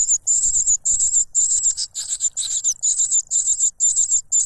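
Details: A cuckoo chick begs loudly while snatching food from its foster father, who plugs its beak with a butterfly; rapid high buzzy bursts run almost continuously, roughly two per second, with faint low thumps.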